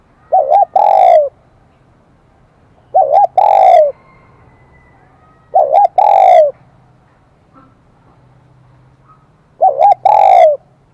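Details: Spotted dove singing in the high-pitched 'kim đồng' voice style, with a bright ringing tone. Each phrase is two quick wavering notes and then one long, slightly falling coo. Four phrases come about every three seconds over a faint low hum.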